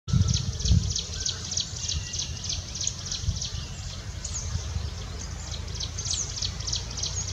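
A jungle prinia sings a fast, steady run of thin, high ticking notes, roughly three a second, over a low rumble of wind.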